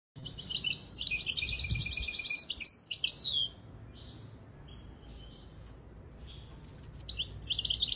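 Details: Misto hybrid canary song used to train young birds: a loud rolling high trill at the start, then scattered thin whistles and short chirps over a low rumbling background.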